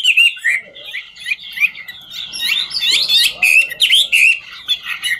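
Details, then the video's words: Dancing Chinese hwamei delivering 'ngũ trường' style song: quick tumbling whistled phrases with swooping, slurred notes and scratchy, buzzy syllables packed closely together, loud and varied. "Họa mi ngũ trường hót múa cực chất"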